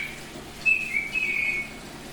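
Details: Short, clean whistled notes from a semi-tame oriental magpie-robin of the Bali type, two or three level tones given in quick succession after a pause.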